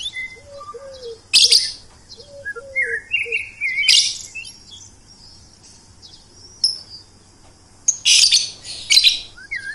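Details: Tuneful bird alternating soft, low, downslurred whistles repeated in quick pairs with bright warbled phrases and loud, harsh chirp bursts.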